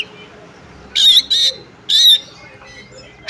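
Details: Female Oriental magpie-robin calling a male to rouse his song: three loud, grating buzzy bursts with pauses between them, a faint thin whistle, over soft background hiss.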